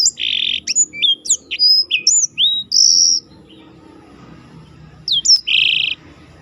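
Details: Black-throated canary song recorded as a training track for contest birds, with a special rolling style: high whistled slurs and sharp chirps, then dense buzzy trills, a pause of about two seconds, and another burst of chirps and trill.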